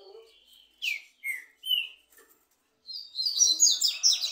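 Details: Trinca-ferro in a singing duel with a second bird: three loud separate downslurred whistles, a pause, then a rush of fast jumbled high chirps.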